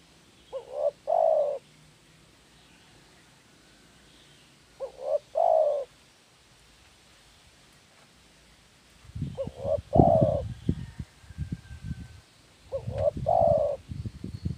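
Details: Spotted dove lure call: soft, hollow coos in short phrases of two or three notes, repeated every few seconds, with low rumbling background noise in the later phrases.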